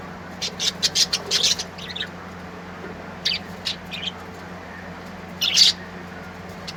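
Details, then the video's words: Birds singing: scattered bright high chirps and short squawky notes in loose bursts, with a louder sharp call near the end, over a steady low electrical hum and background hiss. "Beautiful Bird's Singing"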